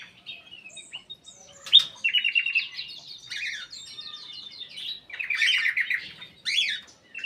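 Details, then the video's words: Black-capped bulbul in an aviary delivering lively rapid warbles: fluttering, trilled whistles in several bursts, ending with sharp sweeping notes. "KICAU KUTILANG EMAS \ CUCAK EMAS GACOR"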